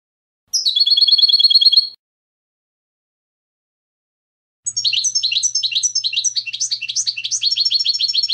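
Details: European goldfinch clean competition-style song (canto limpio), used for educating young goldfinches: a short bright trilled phrase of rapid repeated notes, a pause of nearly three seconds, then a fast twittering, warbling run of high chirps.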